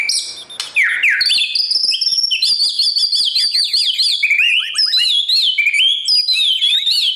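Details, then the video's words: White-rumped shama singing in the morning to train the voice of wild-caught birds for competition singing; a rich, fast stream of high whistled phrases, trills and rapid sweeping notes, continuous and loud throughout. "Chòe lửa hót sáng luyện giọng cho bổi hót đấu căng lửa , chòe lửa luyện giọng"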